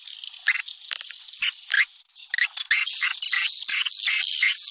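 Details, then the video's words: Swiftlet lure sound, popular in Sumatra, used to attract swiftlets: scattered sharp chirps at first, then a dense, continuous buzzy twittering chorus after a brief pause. "Suara panggil walet populer di Sumatera"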